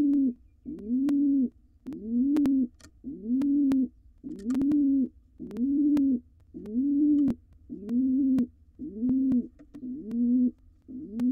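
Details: Courting male pigeon in a wild nest box with nestlings near fledging; a long, regular run of deep, rolling coos, eleven at roughly one per second, overlaid by sharp clicks and taps.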